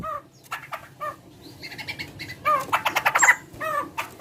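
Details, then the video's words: Large-bodied bird with a distinctive voice said to resemble a chicken: short harmonic clucking notes repeated about every half second, then a dense burst of rapid loud notes before the clucking resumes. "Suara burung gacor paling membagongkan"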